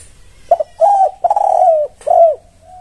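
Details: Spotted dove singing a lure song meant to draw replies from other doves: a short soft note, then mellow drawn-out coos, the longest slightly descending, ending with a faint low hum.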